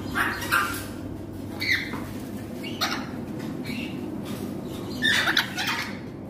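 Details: A four-month-old baby African grey parrot gives short, raspy squawks in scattered bursts, about four over six seconds, over a steady low room hum.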